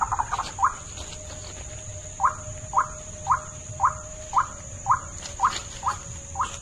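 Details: White-breasted waterhen luring call: after a brief cluster of rough notes, a steady run of short upward-flicking calls follows at roughly two per second, ten in all, over a soft rumbling background and a steady high whine.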